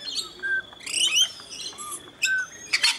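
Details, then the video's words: Rainbow lorikeets being hand-fed in Mt Gravatt, Brisbane, Australia, one scaly-breasted lorikeet among them; scattered short shrill chirps and screechy squawks with brief pauses between bursts. "Rainbow Lorikeets at HUB 292 (Mt Gravatt, Brisbane)"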